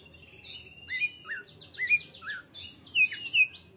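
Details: A greater green leafbird sings constantly: a fast series of buzzy repeated notes, then loud, clear, downslurred whistles in quick succession, dense and lively.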